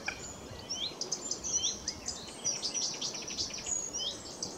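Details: Blyth's reed warbler at RSPB Middleton Lakes on 21 June 2021 sings a steady run of varied, high, scratchy and whistled phrases, each repeated before changing, over a soft background hiss.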